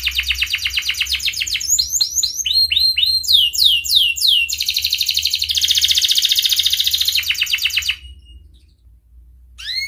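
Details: Canary in breeding condition singing to call a rival, used as a lure for young canaries learning to sing; fast high chirping trills, sweeping rising and falling notes, then a long dense buzzy roll before stopping, low hum beneath.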